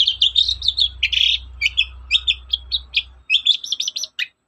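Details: Lure song of a long-tailed shrike in the morning, meant to prompt other shrikes to sing: rapid chattering of squeaky, slurred notes with a few scratchy bursts, ending in a quick stutter of high chirps; faint low hum behind.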